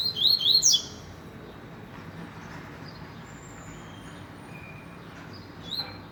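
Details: Short high-pitched phrase from a rusty-collared seedeater, rapid slurred whistles in under a second, followed by quiet background and a brief faint note near the end.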